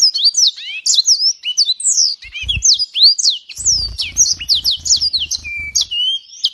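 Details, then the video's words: Imported yellow-fronted canary from Africa singing a loud, fast, continuous stream of swooping whistles and chirps, with a short level note near the end; low rhythmic thumping sounds underneath during the middle part. "Mozambik materi buat isian pleci"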